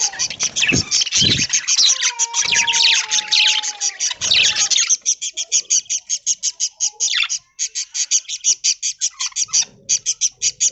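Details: Early-morning aviary flock of budgerigars fed a corn diet in green leaves; thick high chatter with a low droning tone at first, then rapid, evenly spaced sharp chips, about two per second.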